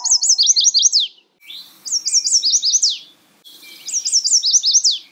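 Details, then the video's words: Chestnut-sided warbler singing three high, bright songs in quick succession, each about a second long: a rapid run of sharp slurred whistled notes ending in an emphatic downward-dropping flourish, with short silent gaps between; quiet background. "Natural Birds Voice, Bird Natural Sound.Chestnut sided warbler."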